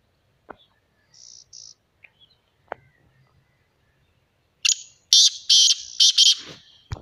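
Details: Black francolin, locally called kala titter, calling: after a few soft clicks and short high notes, a loud run of harsh, grating, buzzy bursts follows in quick succession near the end, strong and close, with little background noise.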